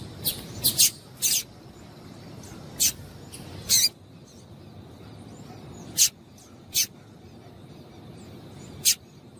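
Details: Female double-collared seedeater calling to excite the male: sharp, high chips spaced irregularly, some paired, with quiet gaps between them over a faint low hiss.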